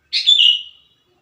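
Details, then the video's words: Wild sooty-headed bulbul singing, a recording meant to lure wild birds and coax captive ones into song: a single clear, liquid phrase that swells quickly then trails off in a steady whistled tone. "KUTILANG GACOR SUARA ASLI TAMPA ISIAN COCOK UNTUK PANCINGAN BUNYI KUTILANG LIAR AGAR CEPAT GACOR"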